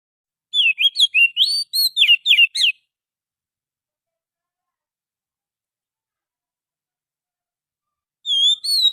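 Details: Lure recording of a wild forest Oriental magpie-robin: about ten quick whistled and chirping notes in two seconds, with steep up-and-down sweeps, then silence before another clear whistle starts.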